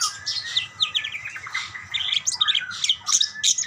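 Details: Budgerigars calling to each other in a quick, crowded burst of high chirps, squeaks and short warbled notes, barely pausing, with a faint low hum behind.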